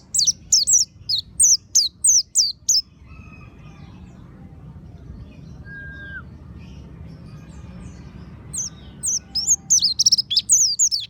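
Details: Lure recording of an oriental white-eye (monty type) meant to get birds singing: a run of sharp high descending chirps for about three seconds, a long quiet stretch with faint low hum, then renewed fast twittering near the end.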